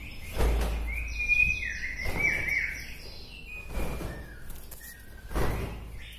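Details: White-rumped shama from Bahorok, Medan, singing to provoke other shamas: a string of buzzy, fluttering whistled notes, then softer scattered whistles, over steady low background rumble and thumps.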